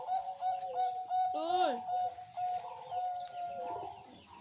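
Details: Zebra dove sings a slow cooing song, the anggungan pelan style: clear level coos repeated evenly, one drawn-out bending note in the middle. Faint other bird calls are in the background.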